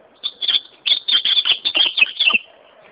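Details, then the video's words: Song of an ultramarine grosbeak: a short burst of high notes, a brief pause, then a longer run of loud, rapid, ringing notes lasting about one and a half seconds, slurring downward at the close. "azulão cantando"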